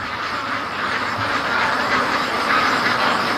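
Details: Many free-range ducks rushing home from a creek and lake in the evening, a thick wall of rapid, raspy quacks from countless birds calling at once, unbroken throughout.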